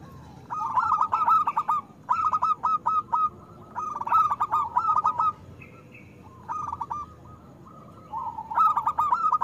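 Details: Loud local zebra dove song intended to draw other doves into singing: repeated stuttering coo phrases roughly every two seconds, rhythmic and clipped, with a short high chirp from another bird mid-way.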